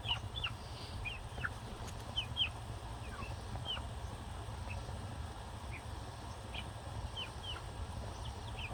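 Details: Ten-week-old pearl guineafowl free ranging for an extended time for the first time, sounding alarm: sharp high chirping notes repeated irregularly, several per second at times, over a steady low rumbling background.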